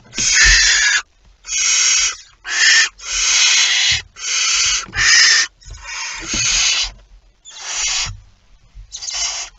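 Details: Barn owl at its nest with prey, recorded just after midnight on 23 September 2019: a rapid run of about ten hoarse, breathy screeches of uneven length, some short and clipped, with soft bumps underneath.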